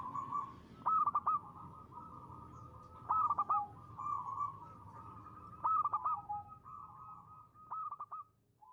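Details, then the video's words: Local zebra dove singing in the crisp 'ngristal' style used as a lure: soft, sustained cooing broken every two to three seconds by bursts of quick staccato clicks, fairly quiet over a low background rumble. "perkutut lokal gacor.suara ngristal ampuh buat pancingan."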